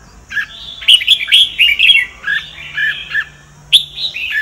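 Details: Red-whiskered bulbul, Sông Kon type, singing for voice training: a lively run of about two notes per second, warbled and chirpy, with a low steady hum beneath and a bright closing phrase.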